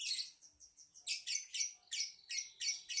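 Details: Lovebird chatter: quick, high-pitched squeaky notes repeated about three times a second, bright and slightly harsh.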